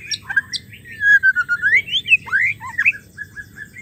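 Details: Female white-rumped shama voice, used to coax non-singing males back into song: a fluid run of slurred whistles rising and falling, with short chirps and a quick rising note in between.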